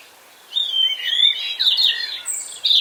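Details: A European robin in a Hampshire garden, UK, gives its breeding song, more robust than its autumn song: a rich run of high, thin warbles and trills, quickly changing in pitch, with a bright final flourish.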